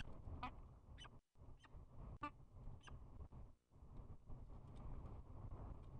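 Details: Spring courtship bowing by peregrine falcons, with a quick run of short chupping notes, some louder and some fainter, scattered over six seconds against heavy low-pitched background rumble with brief gaps of quiet.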